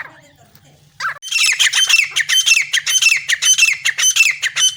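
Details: Francolin call used for partridge hunting in the jungle: after a second of near quiet, loud harsh squawking notes repeat rapidly, nearly two per second, each sweeping downward, with a faint low hum beneath.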